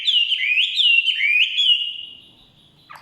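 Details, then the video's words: Forest Chinese hwamei giving a rich whistled song of looping, swooping notes in quick succession, then fading, with a short sharp note at the close. "Nikmatnya kicauan wambi/huamei hutan.."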